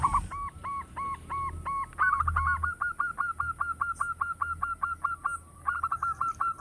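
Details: Zebra dove, local type, in full loud song for luring: a fast, steady string of ringing coo notes, more than two per second, running almost without a break through the whole passage over a low rumble.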